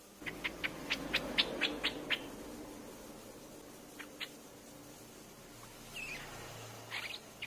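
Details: Lure recording of a Streak-eared bulbul: a rapid string of about eight sharp, high chip notes, then sparse single chips and a few softer, slurred notes late on, against quiet hiss.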